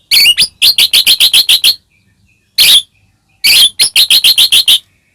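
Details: Murai batu, the white-rumped shama, singing loudly as a lure to provoke caged birds: high, sharp chip notes in quick regular runs of eight to ten, separated by a single harsh note and short silences.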